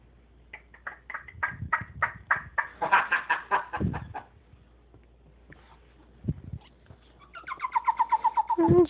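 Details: Pet female Moluccan cockatoo chattering to her owner about her day indoors: bursts of harsh, nasal harmonic squawks repeated about four times a second, a pause, then a run of rising nasal notes ending in a screech.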